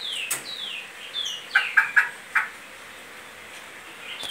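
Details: Great-billed seed finch, song style called Goiano liso: two gliding downslurred whistles lead into a rapid series of four short, clipped notes, ending with a faint rising note against soft background hiss.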